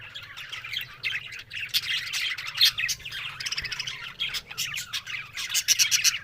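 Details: Budgerigars in group chatter, recorded October 1: busy overlapping warbling with rapid chirps, buzzy bursts and sharp clicks, swelling in waves and growing more broken toward the end.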